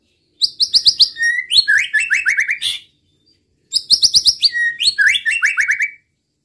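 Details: White-rumped shama singing to stir up rival males and make them sing: two matching bursts of fast, sharp chattering notes that step downward in pitch, each lasting about two and a half seconds, split by a brief silence.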